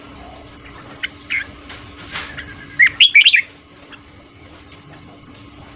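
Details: Red-whiskered bulbul in a morning song-training recording in the 'ché' style, meant to spur newly caught birds to sing quickly: soft scattered chirps, then a quick burst of bright warbled notes near the middle, with faint high squeaks around.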